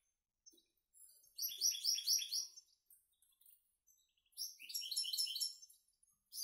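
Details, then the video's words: Young goldfinch × canary hybrids, caged and already feeding alone in their box, heard in clean singing: two bursts of bright, rapid twittered notes, high and chattering, separated by a quiet gap with faint scattered chirps. "mixtos de jilguero y canaria"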